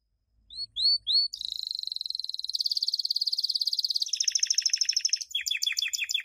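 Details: Champion canary song, 2016, for teaching young birds: a few short upward chips lead into a long, smooth rolling trill, a coarser rattling section, and quick descending whistled notes.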